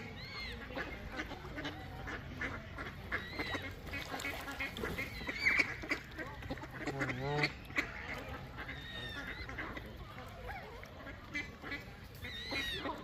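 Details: Ducks quacking repeatedly in short nasal bursts, several birds calling over one another with a steady background hiss.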